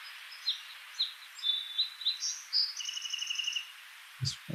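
Song Sparrow song: crisp introductory notes running into a rapid, ringing trill, with a second bird farther off.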